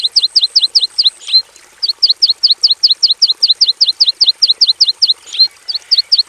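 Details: Javan bush lark kept in a simple aviary in full song: an evenly paced string of short, paired high chirps, about two and a half per second, briefly interrupted once before resuming.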